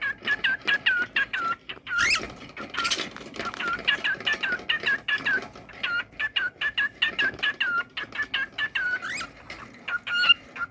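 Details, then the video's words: Singing cockatiel kept as a pet: a long run of rapid, clear whistled notes, often curling down then up, repeated many times with brief gaps. Scattered harsher rasping bursts break in now and then. "Cocktail bird singing."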